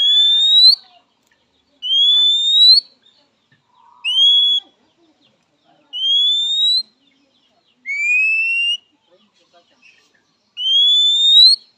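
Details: Oriental magpie-robin calling out a rival, a call both males and females are said to answer fast; six clean, slightly upslurred whistles of about a second each, spaced roughly two seconds apart in quiet surroundings.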